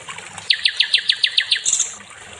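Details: Nightingale (sikatan londo) singing in a songbird training recording: a row of about eight clear, quick downward-sweeping whistles, evenly spaced, ending in a thin high trill, over faint background hiss.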